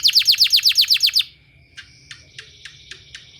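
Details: Canary song played as a therapy sound for training canaries: a fast tour of about nine sharp, downward-sweeping high notes in just over a second, then faint scattered chips over a steady thin whine and low hum.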